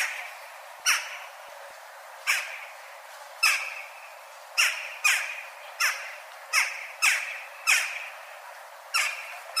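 Western jackdaw giving about ten short, sharp, metallic 'tchak' calls at an uneven pace, roughly one a second, with nothing else clearly heard.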